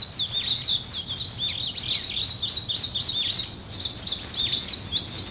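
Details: Birds greeting the morning with steady, high-pitched chirping, repeated downward-swooping notes in quick series with a brief lull midway.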